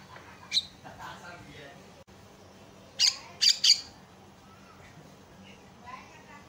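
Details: Javan myna, used as a lure and tutor to set other mynas calling, gives harsh, scratchy squawks: one early burst, then three quick grating notes in under a second, over faint background hiss.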